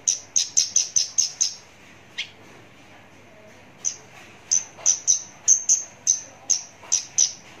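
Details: ['Close-range Javan bush lark delivering strings of short, piercing high whistles in fast series, about six notes in just over a second, with a quiet pause midway before another run.']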